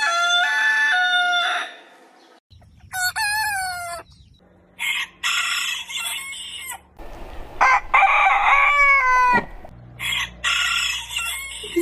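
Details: Morning rooster crowing in a series of abruptly cut segments. Several loud, harsh crows come one after another, some sliding steeply downward at the end. A low steady hum runs beneath the middle part.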